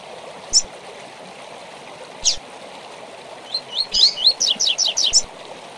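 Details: Double-collared seedeater singing the Tui Tui Zel Zel style used to train young and moulting birds: two isolated sharp chips, then quick rising whistled notes running into a dense, rhythmic buzzy series, against constant flowing-water sound.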